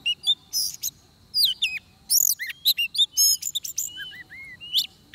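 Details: A trapped or decoy-lured oriental magpie-robin pours out varied song: bright whistled slurs, buzzy bursts and clear downward and upward glides in quick succession.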